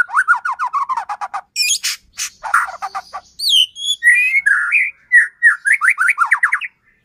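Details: White-rumped shama singing hard, used to stir a shama into song: fast slurred notes, harsh buzzy bursts, a high squeak, then a run of rich rising and falling whistles.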